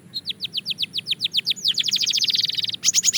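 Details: Belgian canary practising song: a steady string of short downward whistled notes quickens into a dense buzzy trill, ending with a bright high rattling phrase.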